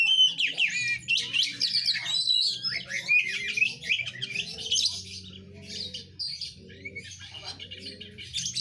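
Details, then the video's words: Oriental magpie-robin delivering a dense, continuous song of quick whistles, trills and scratchy chirps that tumble up and down in pitch, over a low constant hum. "Burung Kacer"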